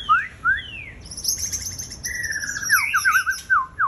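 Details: White-rumped shama song recorded on 11 January 2021: two clear downslurred whistles, then a rich phrase of looping slurred whistles with high overtone-like notes above, ending in repeated rising-falling warbles.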